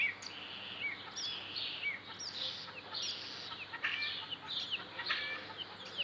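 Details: Starling imitating chicken sounds: a busy stream of high chirps, short whistled slurs and clucking-like notes, overlapping and repeated several times a second over a steady background hiss.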